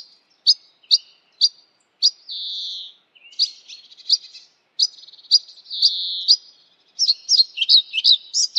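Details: European pied flycatcher giving crisp, sharp high ticks spaced about half a second apart, two longer buzzy notes, and a closing quick run of varied, twittering notes, all against a quiet background.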